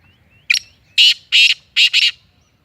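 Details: Black francolin, a bird being trained, calling at speed: a brief note, then harsh buzzy grating bursts, the last one doubled, all in quick succession with nothing else heard.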